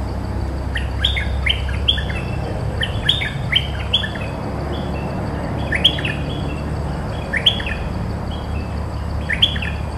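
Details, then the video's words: Cream-vented bulbul song from a territory-holding bird countering each phrase. Short, bright, downslurred whistled phrases of two to four notes repeat every second or two over a constant low droning hum. "เสียงต่อนกดอกแตงEp.213 จ้าวถิ่นสับโต้ทุกดอก!! merbah lekir gacor"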